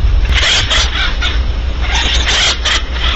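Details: Barn owl in daylight at Audubon Starr Ranch, California, giving rasping, breathy hiss-like screeches in quick bursts, several run together, over constant low background hum.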